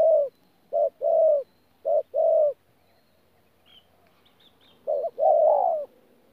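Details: Spotted dove (bổi thổ) from Tu Mơ Rông, 14 January 2019, giving two quick two-part coos, a short note then a longer falling one, then a pause with faint high chirps before one final louder, longer coo.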